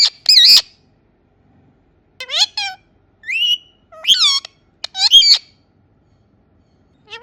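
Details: Indian ringneck parakeet talking and making natural sounds, with bursts of warbled, squawky syllables and rising whistles separated by pauses of silence.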